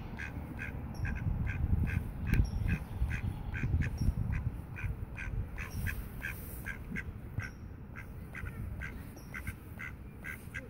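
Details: Several tame mallards in Friedrich-Ebert-Park, Ludwigshafen am Rhein, quack in quick, uneven runs of short nasal calls, about three a second, over a steady low rumble of wind or distant traffic.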